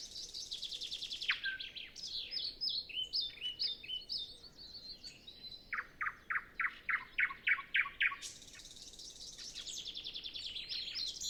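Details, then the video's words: Pre-dawn nightingale song on a still morning, recorded with a Zoom F6 and Sennheiser MKH 8040 before other birds begin: bright varied phrases building into a long, loud run of rapidly repeated chopping notes. "Nightingale Sound Library"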